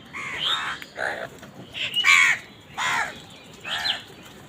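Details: Angry crows calling while they fight over food, giving a run of about five harsh, nasal caws spaced roughly one second apart, some overlapping, over a low hiss.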